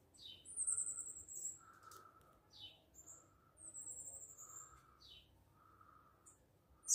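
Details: Variegated fairywren pair with three fledged chicks, phone recording: very high, sharp trilling reels and quick descending chips repeat every second or two, over a steady lower humming buzz that pulses throughout.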